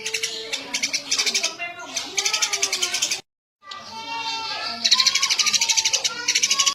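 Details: Eurasian tree sparrow in vigorous song, with long runs of fast, evenly pulsed, high chirps broken by a brief silence midway, and lower tonal sounds in the background.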